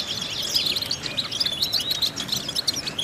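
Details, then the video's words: European goldfinch vocal exercise: a steady, lively stream of high, clear chirping notes and quick twitters, evenly paced, with a soft, sliding, rising whistle near the end. "important vocal exercises necessary to stimulate goldfinches"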